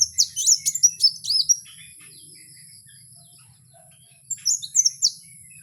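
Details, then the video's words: Wild kowul delivering a quick cluster of high, sharp chirps and slurred whistles, a pause of nearly three seconds, then a second shorter burst of similar high twittering notes. "Suara asli Kowul di alam liar"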